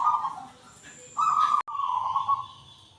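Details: Local zebra dove song: a low, buzzy rolling coo held for about half a second, then a louder trilled phrase repeated after a short pause, with a sharp click between them; quiet faint hiss behind.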